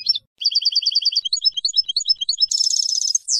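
A white-throated goldfinch sings a quick, high twittering song: a run of paired tinkling notes, then varied chirps, ending in a dry buzzy trill.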